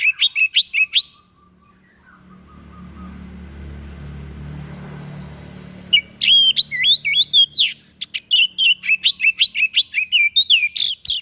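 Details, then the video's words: White-breasted bird singing a strange song used as a tutor for training other songbirds: high, sharp chirps and twisting whistled notes in a short burst, a pause over low background rumble, then a fast run of repeated clipped notes. "SUARA ANEH SI DADA PUTIH, BAGUS BUAT MASTERAN"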